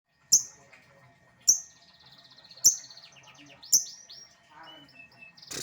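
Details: Lovebird performing ngekek, a long-duration chattering song: four loud, sharp, very high chirps about a second apart, each trailing into rapid, buzzy lower chatter, ending in a short burst of noise.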